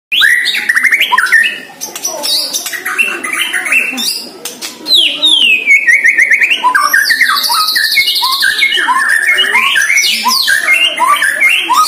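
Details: One-year-old caged White-rumped shama in its first training session against a neighbour's shama, singing back at the rival: rich whistled phrases, sweeping rises and falls, rapid varied notes, the two birds overlapping almost continuously.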